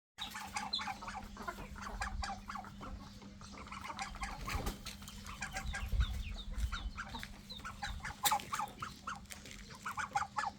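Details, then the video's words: Chicken clucking in a steady, busy stream of short harmonic clucks and squawks for about ten seconds, some louder bursts near the end, over a low constant hum. "Chicken 🐔."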